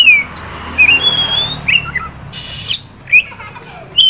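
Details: Contest-prospect Oriental magpie-robin producing sparse, high, clean whistles and short slurred notes. A brief broad rushing burst comes midway, and a low background hum runs throughout.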